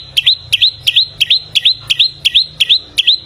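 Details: Golden samyong, or bare-throated whistler, a songbird of the Kelimutu region on Flores, Indonesia, famed for its many voices. It gives a high, sharp upslurred chirp about three times a second, evenly repeated, with faint low hum behind.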